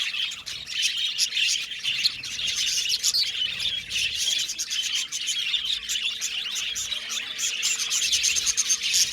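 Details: Budgerigars chirping together in an aviary colony: a dense, continuous chatter of high twittering and warbling notes without pause, with no other sounds standing out.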